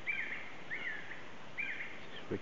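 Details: Three drawn-out slurred whistled notes from a black-necked red-cotinga in the Yasuni, spaced under a second apart, over broad background noise with a short low thump at the end.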